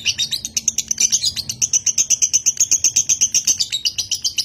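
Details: Nganjuk-bred konslet lovebird giving its long nonstop song. The song is a dense, high-pitched chattering trill, about four sharp notes a second, steady and unbroken throughout.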